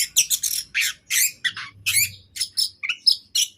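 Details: Loud, rapid harsh chirps and buzzy, scratchy notes from a kept orange-headed thrush singing vigorously, delivered in quick separate bursts about five per second, with a faint low hum behind.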